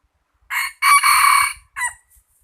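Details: Cockerel giving a full crow: a short rasping first syllable, a long buzzy drawn-out middle, then a short dropping tail, followed by a faint low thump.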